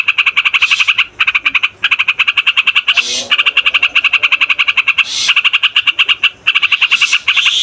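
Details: Rolling song of a noisy trucukan, or yellow-vented bulbul, played as a lure for wild birds and a model for young males and females: long trains of rapid clipped notes broken by brief pauses and occasional hissing sweeps.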